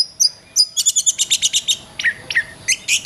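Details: Oriental magpie-robin, locally kacer, in masteran song for training songbirds: high notes leading into a fast run of about ten evenly spaced chips, then a few lower whistles and high chirps over steady background hum.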